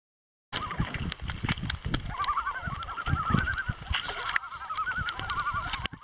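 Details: Common loons at a gathering on Lac Kipawa, Quebec, heard from a canoe; several wavering, quavering tremolo calls overlap at a steady mid pitch from about two seconds on, over repeated knocks and clicks.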